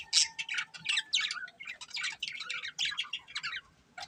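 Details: Budgerigar breeding pair chattering continuously: rapid, high, scratchy chirps and tweets running together in a busy, rolling warble.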